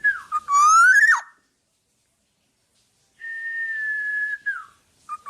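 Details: Black-naped oriole in vigorous song used for tutoring birds: a loud harsh rising sweep with an abrupt drop, a pause, then a long steady whistled note that falls away at the end.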